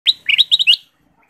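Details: Ruby-throated bulbul in full voice, a lure recording to stir caged birds into singing: a quick run of five bright, chirpy, warbled notes, then silence.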